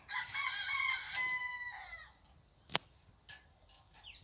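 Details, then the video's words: Orpington rooster crowing: a harsh, drawn-out crow with a stepped pitch that drops at the end, lasting about two seconds. A sharp click and faint clucks follow in a quiet yard. "Orpington rooster crowing"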